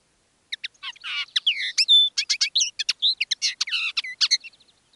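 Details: Common linnet song from a decoy bird singing live: dense, fast twittering mixing buzzy trills, short pure whistles and clipped chips in a continuous jumbled flow.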